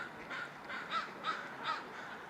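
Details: A crow giving light chirp-like snorts, possibly sneezes: three brief, soft, slightly tonal notes spaced about a third of a second apart over steady background hiss.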